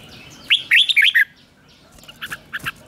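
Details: Red-whiskered bulbul in morning song training, 'chè' style singing: one quick burst of bright warbled and slurred notes, followed by a few fainter clipped chirps after a brief pause.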